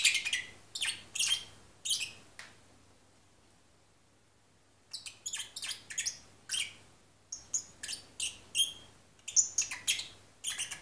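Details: Half-asleep lovebird parrot singing sleepily: clusters of quick high chirps, then a silent pause of about two seconds, then a denser run of scratchy, squeaky notes, with a low steady hum underneath.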